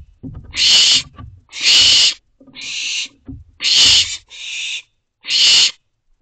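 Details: Barn owl owlet in a nest box at night, around 2:43 am on 18 June 2023, calling for a vole just delivered: harsh hissing screeches about half a second long, five in about six seconds, with faint low rustling between them.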